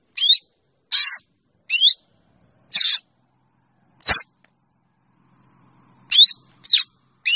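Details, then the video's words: Black Drongo calling to its flock: short sharp notes, some rising whistled slurs and some harsh rasping bursts, given in irregular pairs and singles with gaps, plus one sharp click midway. "Tiếng Chèo Bẻo kêu gọi bầy"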